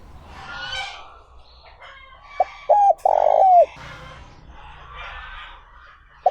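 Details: Spotted dove decoy in the 'trơn ròng' voice, calling to attract wild doves. One low three-part coo ends in a long falling note. Many other birds chirp and whistle higher in the background.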